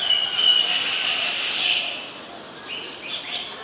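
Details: White-vented myna (Acridotheres grandis) in Ubon Ratchathani, Thailand, recorded 16 February 2020: a loud, harsh, buzzy call with a whistled note near the start, followed by fainter scratchy chirps against a steady background hiss.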